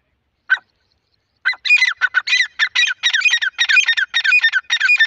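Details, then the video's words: Black francolin (Irani or kala teetar) gives a single harsh note, then a fast, grating run of about a dozen clipped, rasping notes in uneven rhythm. "Irani Dakhni Teeter ki Awaj | Tetar Ki Awaj | Teter ki Boli | Francolin Voice | Desi Teeter ki Awaz"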